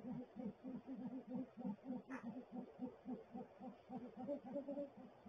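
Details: Male great horned owl at the nest making gular-like sounds: a fast, steady train of low soft pulses, nearly four each second, continuing for the whole stretch, with a faint click near the middle.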